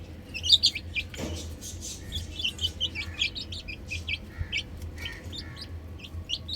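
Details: Chicks playing on a roof give scattered high peeps, a loud burst at the start, then sparser, spaced chirps against a low steady hum.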